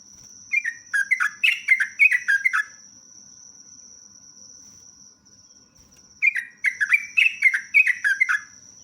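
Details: Lure recording of a very vocal sooty-headed bulbul giving long phrases. A rapid burst of jumbled, slurred whistles lasts about two seconds, then silence, then another similar burst, all over a continuous high whine.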